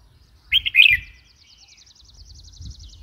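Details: A single quick, gurgling chirp phrase from a red-whiskered bulbul, followed by a faint, high, rapid trill from another bird.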